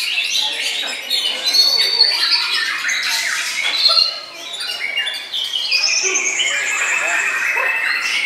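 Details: Murai batu, the white-rumped shama, bowing low as it sings: a busy jumble of chips and short notes, then a broad arching whistle swelling and fading near the end, with background chatter.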